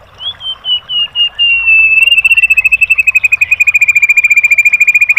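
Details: White-rumped shama masteran for training caged birds, opening with a long, thin, level whistle that slides slightly down, then breaks into a fast, even rattle of clipped high notes.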